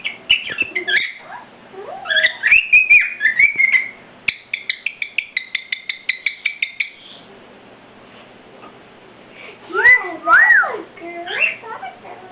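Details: Pet cockatiel, newly acquired, indoors: mixed chirps and whistled warbles, then a fast series of even clicking notes, a quiet stretch, and rising-falling whistled calls near the end, with occasional knocks.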